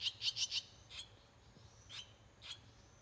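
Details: Nestling swallows, six chicks on day 18 after hatching in a doorway nest in countryside Japan; a rapid run of shrill high chirps, then two fainter single cheeps.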